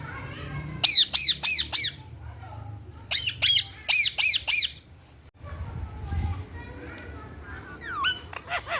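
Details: Indian ringneck parrot repeating loud, grating squawks in quick runs of four or five, two long series separated by a pause, then softer descending squeaks near the end over a low background hum.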